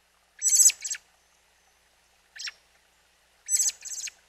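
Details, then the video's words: Newly fledged young robin with its mother at a mountain spring, captured by trail camera: soft, scratchy high double notes, three short bursts with pauses between, in a quiet setting. "Robin Fledgling Calls"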